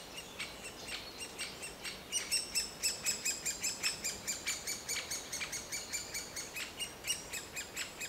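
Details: Young great spotted woodpecker begging from a tree hole during a feeding visit, with the adults bringing food: a steady stream of shrill, scratchy chirps that quicken to more than two per second midway.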